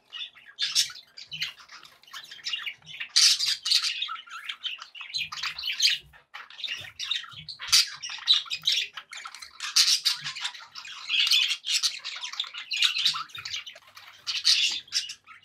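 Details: Pet budgies chattering happily for a long stretch: continuous scratchy warbling, squawks and chirps in overlapping bursts, lively and high-pitched.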